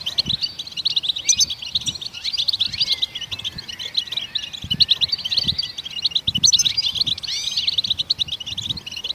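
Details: Goldfinch song intended to stimulate other songbirds: continuous high, sparkling twitter with buzzy trills and quick up-and-down slurs, fairly even in loudness, with soft low thumps in the background.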